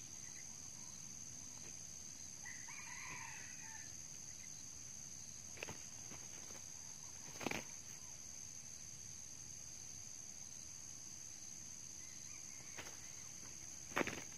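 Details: A single short crow from a red junglefowl early on, recorded while trapping with a decoy bird in which an old cock takes a spur strike, followed by scattered knocks and clicks against a constant insect whine.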